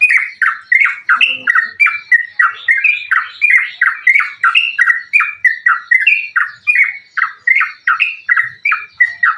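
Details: Sooty-headed bulbul delivering continuous fighting-style song, used as a lure to make other bulbuls sing: a dense, unbroken stream of bubbly, chattering mid-pitched notes repeated quickly and steadily throughout.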